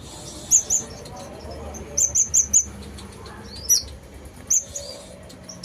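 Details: Lively sunbird song made of very high, thin chirps, given singly and in a quick run of four, with brief pauses and a soft hiss behind.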